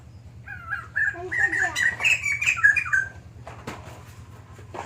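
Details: White-crested laughingthrush, kept as a songbird, in a fairly long bout: a run of rich whistled phrases around the middle that rise and fall, then fade into quieter rustling and a faint steady hum.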